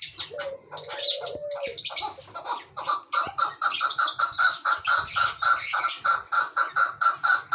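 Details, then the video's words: Chukar partridge calling: a rapid run of dry, clucking chuk notes repeated about five times per second, building steadily. Long low drawn notes, higher chattering bird calls and faint low rumbling sound alongside. "Chakor ki awaz"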